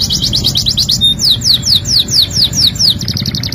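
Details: Canary song used as masteran: a fast stuttering trill, then a measured series of clear downslurred whistles repeated about every fifth of a second, with low-frequency background noise.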